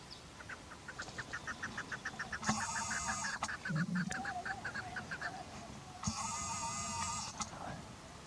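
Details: Chukar partridge giving quick repeated clucking chuk notes, partly covered by two bursts of harsh broadband noise and a few low thumps.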